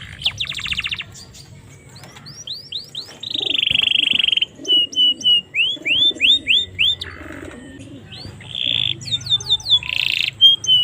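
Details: Varied domestic canary song meant to encourage other canaries: a buzzy trill, a sustained rattling tone, clear short whistles and rising slurs in quick runs, then harsh bursts and a final whistle amid a quiet hum.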